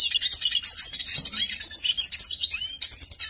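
A Eurasian siskin sings a fast, continuous twittering of high, thin notes and rising buzzy wheezes, with barely a pause throughout.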